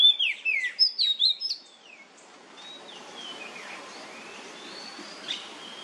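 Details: Oriental magpie-robin, nyemplong style, recorded as a lure to prompt magpie-robins to sing. A rapid set of bright whistled slurs lasts under two seconds, followed by faint whistles under constant background hiss.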